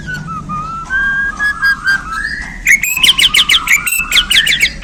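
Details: Bornean white-rumped shama (murai batu), newly handled by its keeper, delivering its varied 'isian' song: long rising whistles slide upward, then bursts of rapid, sharp, repeated notes, over a steady low hum.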